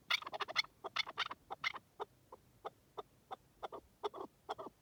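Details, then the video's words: Partridge in wild country. It opens with a dense cluster of raspy chuk notes, then slows to single clucks spaced about a third of a second apart. "Pure Partridge Calls in the Wild"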